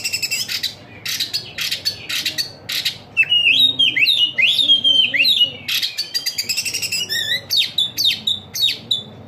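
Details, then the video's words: Bird singing a lively song: clusters of sharp high chips, then a series of looping slurred whistles repeated several times, followed by more rapid chirps and trilled notes. "suara kicauannya enak di dengar"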